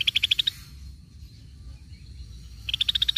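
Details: Cream-vented bulbul used as a lure. A fast string of sharp, high pulsed notes fades out, a quiet gap follows, then a second rapid rattle begins.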